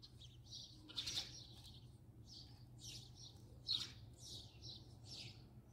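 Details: House sparrow filmed at close range, giving a series of short, bright chirps at an uneven pace, several per second in bursts, over a low steady hum.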